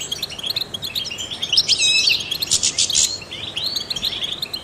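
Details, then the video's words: Trained European goldfinch song mixing tinkling twitters with a loud, harsh buzzy passage in the middle, followed by lighter, rapid chirping that fades toward the close. "in the wild goldfinches chirp to stimulate songbirds"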